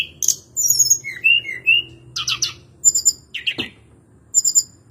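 A Hill Blue Flycatcher sings a varied run of high, sweet whistles and sharp twittering notes, with brief slurred phrases and short pauses between them.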